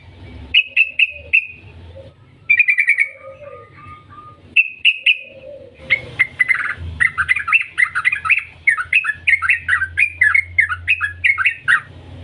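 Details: Yellow-vented bulbul singing in the long 'ngetir' style used as a lure to make other bulbuls sing: short rippling trills at first, then a long, dense run of quick bubbling, up-and-down chattering notes over a faint low hum.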